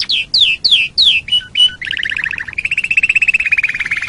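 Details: Canary song recorded as a training master for other songbirds: repeated falling whistled slurs, then short flat notes, then a fast buzzy trill of rapid repeated notes.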